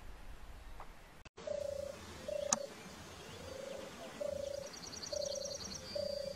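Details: European turtle dove, an endangered species, near Brzeg Dolny with two birds seen nearby: low, rolling purrs in six short phrases about a second apart, with a brief click early on and high twittering from another bird near the end.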